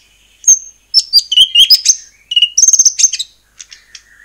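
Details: White-rumped shama song used as a lure to get other shamas singing: clear high whistles at stepped pitches, short chattering bursts, then a few quiet fading notes.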